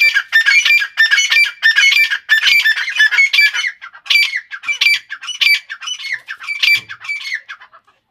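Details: Female grey francolin of the type called Irani, giving loud, harsh, grating calls in quick repeated bursts, roughly one and a half per second, each rasping note stacked with bright overtones, the series slowing and spacing out toward the end.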